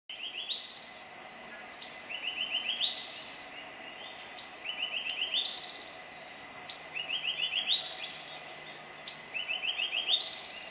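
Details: A male Yellow-breasted Boatbill singing from a lower branch gives a quick run of short, mid-pitched notes climbing into a high, buzzy trill, the phrase repeating about every two and a half seconds over a faint background hiss.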